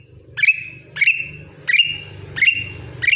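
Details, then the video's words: Greater green leafbird, a caged song bird, rapidly repeating sharp whistles that sweep down and hold a bright high tone, about twice a second, over steady low hum and murmur. "cucak ijo gacor"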